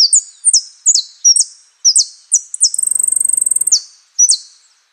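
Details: Saffron finch (Sicalis flaveola) singing in the "Osama" style (prio, golpe y pitada): clear, high descending notes repeated at a steady pace, broken midway by a fast, very high rattling trill before the falling notes resume.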